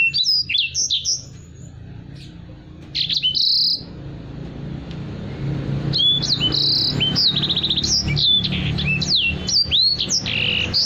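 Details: Caged Black-throated canary, a song tutor for other birds, opens with quick whistled slurs, pauses briefly, then resumes with dense, rapid high trills and swooping notes over a faint hum.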